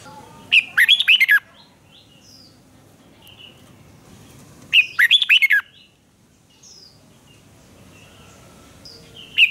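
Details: Fiery duel singing by a red-whiskered bulbul, used in voice training: brisk phrases of rapid swooping whistles every four seconds or so, softer single whistles from other birds scattered between.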